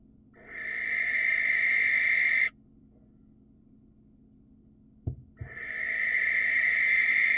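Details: Wild barn owl screeching to attract a female. Two long, harsh, hissy screeches of about two seconds each, separated by a silent gap broken only by a couple of low knocks.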